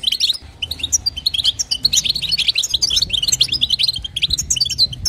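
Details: Female European goldfinch giving bitbita and sitsita calls to stimulate the male: a quick, jangling twitter of high chirps that thickens after the first half-second and carries on steadily, with faint low hum.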